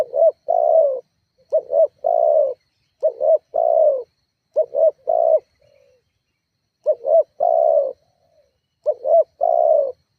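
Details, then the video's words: Spotted dove calling to provoke rivals and draw them into answering: repeated low phrases of two short rising coos and one longer sliding note, five phrases in a row with a brief pause midway. "Suara tekukur GACORR menekan emosi lawan"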